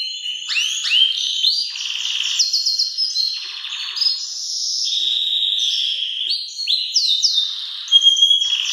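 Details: Loud song of a Belgian canary, used to train young birds: continuous high warbling with quick swept notes, rattling buzzy rolls and steady piping tones, ending in a brighter burst of rising whistles.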